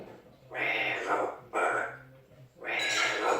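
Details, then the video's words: Amazon parrot mimicking human speech with about 40 phrases in its repertoire: three loud, raspy phrase fragments separated by brief pauses, sounding breathy and scratchy. "Outspoken Amazon Parrot"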